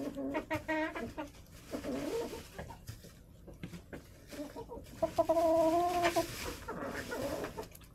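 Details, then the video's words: Hens clucking inside a backyard coop in January, with freezing temperatures and snow outside; runs of quick nasal clucks, then a long, steady, harmonic drawn-out call near the middle, over low shuffling noise. "chicken noises, hens clucking"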